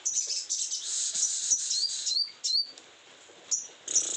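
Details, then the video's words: Very high twittering from a sogon in strong breeding condition: rapid chirps and short rising squeaky notes, a brief pause, then more sharp notes. "sogon birahi kelewat"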